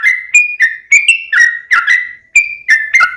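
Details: Sooty-headed bulbul (trucukan) singing a steady series of short whistled slurred notes, some rising, some falling, delivered without pause in a continuous rolling phrase.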